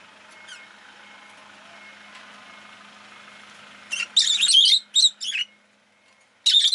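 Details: A steady low vehicle hum from the street fills the start, then a rosy-faced lovebird breaks in with loud, rapid, harsh chirping bursts.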